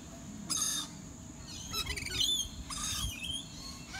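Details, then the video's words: Rainbow lorikeets at the Australian Reptile Park in Australia give harsh, screeching bursts mixed with shrill, thin whistled notes, scattered over a few seconds against a low steady hum. "With Rainbow Lorikeets - Australian Reptile Park"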